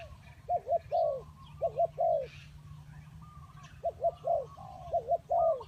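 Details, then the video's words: Spotted dove giving low, mellow cooing phrases: short paired coos followed by a longer, drawn-out croo, repeated in two bursts with a pause between them. Faint chirping from other birds can be heard in the background. "The Sound of Spotted dove"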